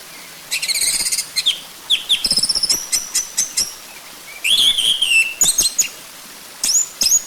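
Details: Orange-headed thrush song played as a lure to prompt a bird to sing: loud, rapid bursts of high chirps, trills and short whistled notes in varied phrases separated by brief pauses.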